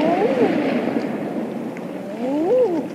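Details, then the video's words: Eiders calling on open water offshore on a late spring evening: soft, low, drawn-out cooing notes that rise then fall, one at the start and another near the end, over steady waves and wing flaps. "Evening Eiders Calling On Water With Wingflaps And Waves"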